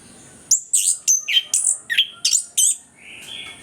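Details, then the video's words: Orange-headed thrush in full voice, a lure for birds reluctant to sing: eight brisk, buzzy-edged whistled notes in quick succession, alternating very high and mid-pitched, then a softer level whistle trailing off. "ANIS KEMBANG GACOR, PANCINGAN AK MALAS BUNYI BIAR GACOR"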